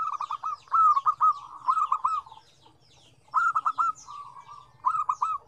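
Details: Zebra dove cooing from a lively blend of five birds' differing tones. Two bursts of fast, stuttering, rolling notes are split by a quiet pause of about a second, with faint high twitters from other birds.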